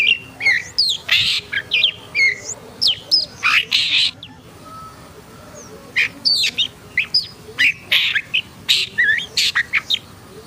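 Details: Long-tailed shrike (pentet hitam putih) singing in an agitated mood: rapid bursts of harsh, scratchy notes mixed with sharp whistled chirps, delivered in quick clustered phrases with brief pauses, a pause near five seconds, then renewed chattering.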